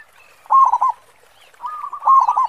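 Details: Local zebra dove in full song with a big 'khong' voice: two low cooing phrases, each a quick run of throbbing, stuttered notes ending in a rolling trill, separated by about a second of quiet; faint higher bird notes behind.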